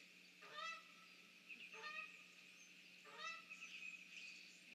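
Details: Mallards with unknown ducks near a snag under trees, 06:47 on 30 March 2019: three raspy, downward-sliding quacks spaced about 1.3 seconds apart, with a steady background hum.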